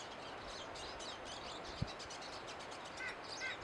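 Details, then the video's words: A flock of pine siskins twittering in high, rapid, buzzy notes. A short thump sounds midway, and near the end two clearer paired chirps come about half a second apart over background hiss. "Pine siskins singing"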